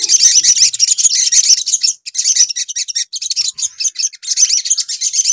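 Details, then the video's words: Crimson sunbird lure recording: unbroken, very high, rapid chattering and twittering, loud and dense, with short pauses between bursts. "SUARA PANCINGAN SOGON"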